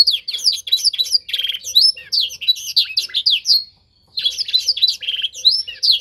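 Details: Young canary in song training, learning to copy a master song: long run of bright warbled trills and rapid twittering notes, a brief silent gap near the middle, then the same lively trilling resumes.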